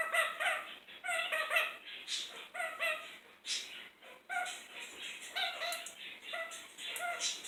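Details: A cheeky pet kakariki (New Zealand parakeet) in a kitchen chatters in quick bursts of three to five nasal, harmonic notes, pausing briefly between runs, with a few higher squeaky calls mixed in.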